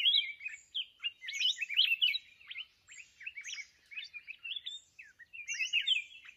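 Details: Singing red-whiskered bulbul, a mountain bird, during decoy trapping: a busy stream of sharp chirps and quick whistled slides, delivered in rapid overlapping bursts.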